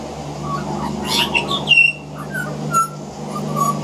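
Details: Two juvenile Pied Butcherbirds practise their songs, trying out a few short, clear whistled notes, some gliding, scattered unevenly over a few seconds above a steady low hum; a juvenile magpie practises carolling in the background.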